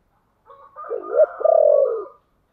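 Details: Spotted dove in the low 'chìm' cooing style used to lure wild doves: a soft lead note, a rising throaty coo, then a long pulsed falling coo. The whole phrase lasts under two seconds, with no other sounds.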